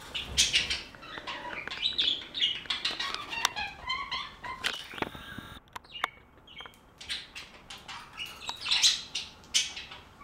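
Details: Budgerigar flock chattering: dense overlapping high chirps, warbles and short whistled notes in busy bursts, a brief quieter gap midway, then renewed sharp chirping and squawks.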